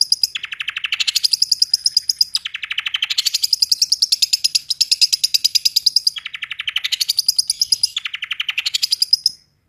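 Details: Long-tailed shrike giving a full, fast rolling song: rapid buzzy trills that rise from lower rough notes to a high steady strand, in phrases of about two seconds without pause.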